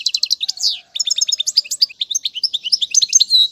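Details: Goldfinch song meant to teach young birds, opening with a quick buzzy rattle, then a lively stream of tinkling, liquid notes and short twitters delivered almost without pause.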